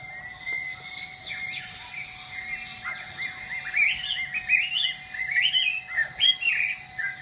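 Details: Chinese hwamei song beginning softly with quiet warbles and building into louder, rapid whistled phrases and sweet slurred notes in the second half, with a low constant hum present.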